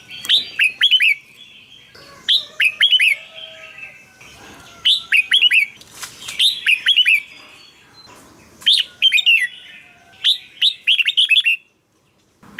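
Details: Red-whiskered bulbul, caged, singing to stimulate other caged birds: repeated phrases of three or four quick, bright slurred whistles roughly every second or two, with faint fluttering and soft background chatter.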